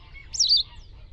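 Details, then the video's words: A wild white wagtail (Motacilla alba) gives one sharp, high chirp that slurs downward, lasting about a third of a second, over a faint low background rumble. "White Wagtail Sound – Song & Bird Calls"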